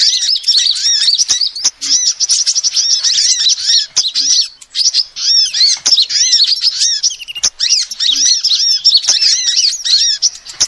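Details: Female sunbird, used as a lure call: steady, fast chattering of high, hooked chirps in long runs with small breaks, accompanied by scattered sharp clicking sounds.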